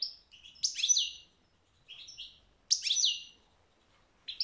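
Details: Goldfinch song in short tinkling bursts, each a cluster of high, quick notes with a buzzy downward sweep, spaced by quiet gaps of about a second.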